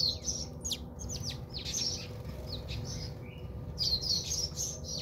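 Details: Bathing house sparrows at a South African home chirp busily and almost without pause, the bright notes mixed with soft flutters and splashes, while a low hum runs underneath.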